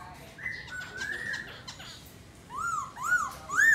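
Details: Black laughingthrush in song while dancing: a few drawn-out level whistles, then three arched, upslurred-downslurred whistled notes growing louder toward the end.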